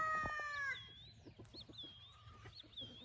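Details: Wingate Brown Red gamefowl in a brood pen with a stag and a hen. The clip opens on the loud, harmonic tail of a crow that ends sharply after under a second. Wild birds then chirp and whistle in rising and falling notes over faint clucking and rustling.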